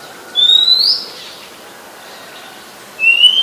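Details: Wild Oriental magpie-robin singing in Ubon Ratchathani, Thailand, 17 July 2021; a pure whistled phrase climbing steeply in pitch, then a pause of two seconds before a second, flatter high whistle begins.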